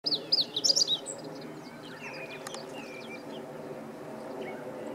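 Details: Meadow Bunting (Emberiza cioides) singing, recorded 20 March 2015: one quick phrase of high, sharp, slurred notes fills the first second, followed by quiet with faint distant bird calls over a steady low hum.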